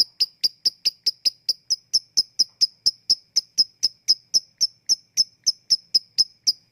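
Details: Lovebird ngetik, a ticking call used to coax reluctant lovebirds into singing: crisp, high-pitched ticks at a steady, slightly quickening pace, about three to four per second, otherwise quiet.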